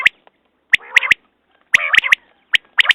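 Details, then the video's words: Batair, the common quail, calling in a hunters' recording: crisp clipped notes in twos and threes, interleaved with longer harsh buzzy chatter, several phrases within a few seconds. "Batair Ki Awaz New Quail sounds 2019"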